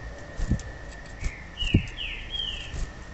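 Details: A female yellow-bellied seedeater call, used to stimulate males to sing, gives a few thin, high, slurred whistles over about a second, over dull low thumps and a steady faint high-pitched hum.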